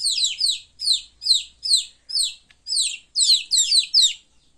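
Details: Chicks at play give loud, high chirps. Each one slides downward, and they come in paired bursts roughly every half second. Several calls overlap toward the end, and there is no other clear sound.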